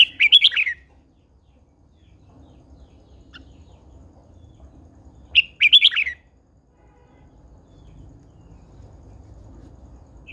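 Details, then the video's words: Red-whiskered bulbul, a captive old wild-caught female: two short, rich warbled phrases about five seconds apart, each a quick tumble of bright notes, with quiet between them. "Chào mào MÁI THÚC TRỐNG căng lửa"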